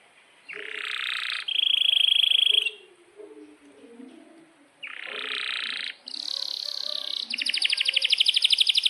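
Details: Canary in full long song for training young birds: harsh buzzy phrases, a steady high whistle, a pause with soft low twitters, then more buzzy phrases ending in a fast, even trill.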